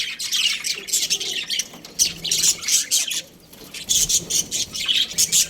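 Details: Budgie breeding pair squawking and chirping in short, bright, scratchy bursts, several per second, with a brief quieter gap near the middle before renewed chatter.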